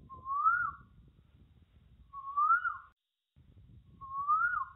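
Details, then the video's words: Asian koel calling three times, a smooth upward-sliding whistle repeated roughly every two seconds, steady low murmur of background noise underneath. "Koel Bird Sound"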